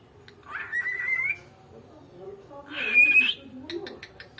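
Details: Talking pet cockatiel that imitates words its owner's mother taught it: two loud, harsh, strained screeches, each about a second long with a thin whistled edge, separated by a pause, followed by faint clicks.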